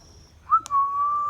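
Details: Indian ringneck parakeet making a short, sharp whistled note, a brief click, then a level, sustained whistle that carries to the end.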